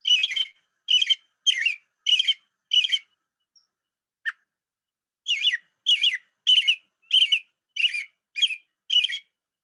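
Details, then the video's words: American robin singing, played as an example: a steady run of clear, caroling whistled phrases, each short and slightly varied, about 1.5 per second, with a brief pause midway; its song is likened to "cheerio, cheerio". "Now I'm going to play for you a recording of what a robin sounds like when it's singing."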